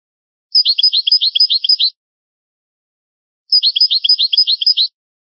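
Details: European goldfinch singing an old, original-style song from a rare tape recording: two bright, high twittering phrases of about a second and a half, each a rapid run of repeated tinkling notes, separated by three seconds of silence.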